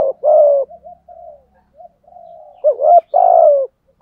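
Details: Decoy spotted dove being prompted to coo: low, husky coos, a long level note followed by short soft notes, then a quick rising double note and another long, slightly falling coo, with no other sounds.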